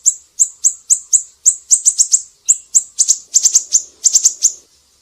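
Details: Siri-siri song used as a tutor recording for training cage songbirds: sharp, very high chips repeated about every half second, then quicker clustered triplets, with no other sounds.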